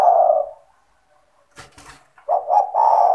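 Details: Spotted dove owned and played as a lure for other doves: the end of a hoarse coo, a brief rustling noise, then a new phrase of short stuttered notes swelling into a sustained low coo.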